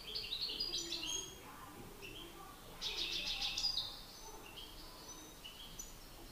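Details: European goldfinch males in a song battle, master against excited challenger: rapid, high chattering twitters and buzzy trills, strongest in a dense burst midway, then scattered softer notes.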